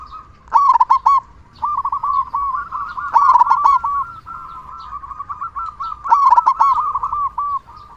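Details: Local zebra dove with a big voice, used to stimulate quiet doves into singing, gives three loud runs of quick, rolling cooing notes spaced about three seconds apart, while softer cooing continues steadily underneath.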